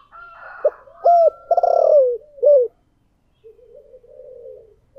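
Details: Spotted dove kept as a decoy, calling in the 'giọng thổ' voice style: hoarse, hooked coos building to one long coo with a falling close, over fainter background cooing, then a soft separate coo.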